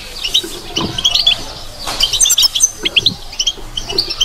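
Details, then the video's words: European goldfinch singing in the batbata style: rapid, liquid twittering of high tinkling notes and short trills in uneven bursts, with faint low thumps beneath. "بتبتة لو مغناش معها"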